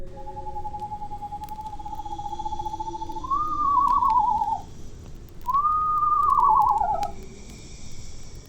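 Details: At night, an Eastern Screech-Owl gives a steady trembling whistle, then two quavering, horse-like whinnies that rise briefly and slide downward, each about a second and a half long.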